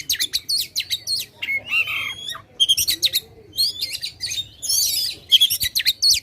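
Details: Oriental magpie-robin singing loudly to provoke contest birds: short groups of sharp high chirps separated by brief gaps, a few sliding whistles, phrases repeated in rapid bursts, low hum behind.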